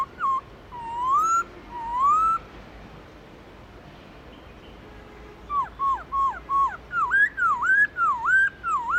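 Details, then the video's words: Black-throated laughingthrush singing a many-voiced wild song: three rising whistled slurs, a quiet gap, then a rapid burst of short whistled notes swooping up and down, delivered several per second. "Khướu bạc má hót GIỌNG RỪNG CỰC HAY"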